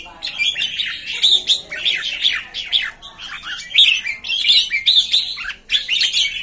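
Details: Newly arrived red-whiskered bulbuls giving fast, overlapping phrases of bright chirps and short downward-swept whistled notes, in quick bursts with brief pauses between them.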